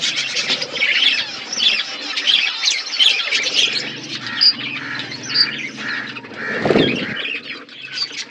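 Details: Colony of budgerigars chirping, busy warbling chatter with squawky notes and a low mechanical hum, one brief low thud near the end.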